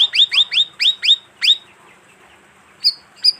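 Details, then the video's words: Bayeman lure call: a quick burst of about seven rising, whistled chirps in rapid succession, a pause, then two separate piercing high chips, with background hiss. "suara pikat burung bayeman"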